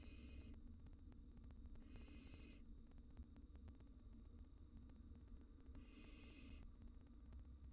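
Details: Wild barn owl nestlings in a monitored nest box, reacting to an intruding cockroach: three harsh, breathy hissing bursts, each under a second, separated by pauses of a few seconds, over a low steady hum.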